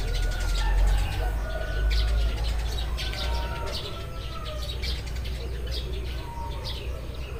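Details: Eurasian tree sparrows chirping in the morning: short, sharp, high chirps repeated irregularly and rapidly, overlapping from several birds, with drawn-out tonal calls from other birds and a steady low rumble beneath.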